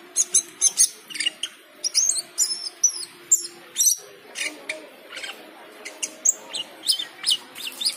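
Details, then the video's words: Cucak keling responding to the call to prayer with lively song: loud sharp chirps and squeaky whistles repeated about every half second over a faint chanted voice. "Cucak keling teler gacor full isian saat mendengar adzan."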